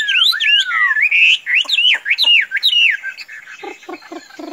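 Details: Loud Chinese hwamei song from a tame captive bird that can roam free without flying away: looping whistled slurs dipping and rising, followed by a few low knocking clicks.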